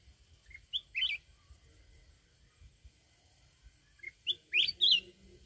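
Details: Wild-style song of a mountain red-whiskered bulbul to excite decoy birds: a rising whistle and a brief warble, a pause, then a louder burst of bright tumbling whistled notes, faint hum behind.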